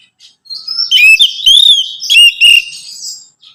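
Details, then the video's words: Orange-headed thrush singing, a recording meant to prompt a kept bird to sing: rich, fluty whistled phrases with quick up-and-down slurs, three strong bursts within a few seconds. "Merangsang ANIS MERAH Berani Bunyi, Saat Diputarkan Kicauan Ini dalam Beberapa Menit."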